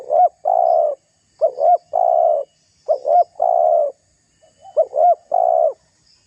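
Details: Spotted dove calling to provoke a rival and draw it in as a lure: two short arched notes and then a long, level, drawn-out coo. The phrase repeats three times over six seconds against a quiet background.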